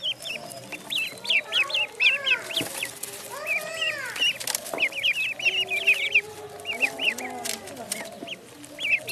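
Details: Ducklings in the pond keeping up a busy, irregular chorus of thin high peeps, with several lower, arching calls mixed in near the middle.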